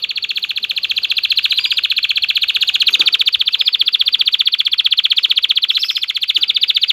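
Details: Male canary in an excited mating song aimed at stirring females: one unbroken, very fast, even rolled trill, shrill and buzzy, pulsing about four times a second in loudness throughout.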